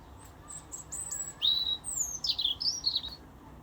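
A robin sings a short run of high, thin whistled phrases, some sliding down and some trilled, over a faint low rumble.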